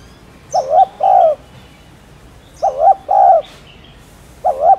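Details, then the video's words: Spotted dove coos in steady phrases about every two seconds: a short wobbling note, then a fuller held coo, with a third phrase beginning at the end. Faint high chirping of small birds is heard. "Tiếng Cu Đất Gáy , Cu Cườm Gáy Kích Bổi"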